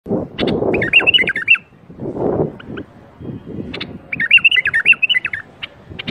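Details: Bulbul song used to get other bulbuls singing: short warbled, looping whistled phrases around the upper-middle range, each about half a second, given twice with sharp clicks between, over low thumping and rustling noise.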